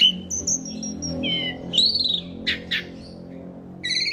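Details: Jalak suren, the Asian pied starling, in masteran song: thin sustained whistles and a rising slurred note, then short harsh bursts and a final buzzy trill, over a soft humming background.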